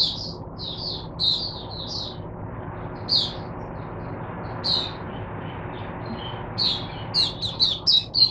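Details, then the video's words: Caged oriental white-eye kept as a teacher bird for other white-eyes, singing on 22 January 2022. High, thin chirps in short bursts and quick warbled runs, separated by pauses, over a low background rumble. "Mata Puteh Diva Sunday buka sing teacher bird for my other mata putehs"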